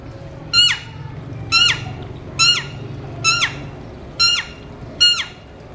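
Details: Captive Alexandrine talking parrots whistling: six loud, harsh, downward-sweeping calls with strong overtones, spaced about a second apart over a low steady hum.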